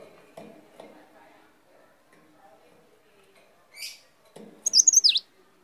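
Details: Small, lively leaf warbler giving one high, rapid twittering burst of four or five sliding notes near the end. A brief buzzy chip comes just before it, over faint low voices and rustling.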